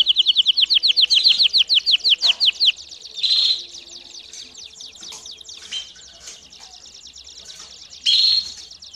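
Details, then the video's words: Domestic canary singing and calling, offered as training song for young birds: a fast run of rising chirped notes, then quieter scattered notes and a short buzzy burst near the end. "CANÁRIO DO REINO CANTANDO E CHAMANDO ÓTIMO TREINO PARA FILHOTES!!!"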